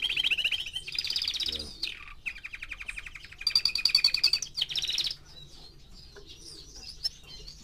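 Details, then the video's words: Four-month-old canary: bright trills and rapid rolls in close succession for five seconds, then quieter scattered chirps against faint hum. "Кенар №1 ( 4 месяца)"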